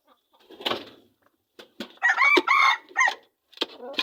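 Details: Wild red junglefowl from the Seulawah forest, Aceh Besar, Aceh: after scattered clicks and rustling, a clipped, harmonic crow breaks into short, loud segments of about a second, followed by brief rough notes.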